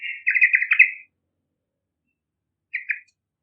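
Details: Yellow-vented bulbul in full song, used as a lure for young birds: a bubbly, rapidly pulsed chattering phrase of about one second, then a short two-note fragment after a pause.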